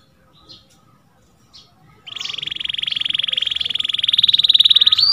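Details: Domestic canary singing a training song for other canaries. After two faint short chirps, it launches into a long, fast, pulsed trill that slowly rises in pitch and grows louder, repeating about three notes per second and more.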